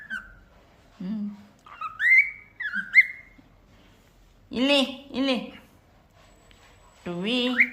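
A cockatiel sings a series of clear, rising whistles mixed with harsher, speech-like chatter.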